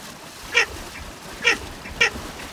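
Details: Three short, buzzy duck notes from a Baer's pochard (Aythya baer), the first alone, the last two closer together, against soft background hiss.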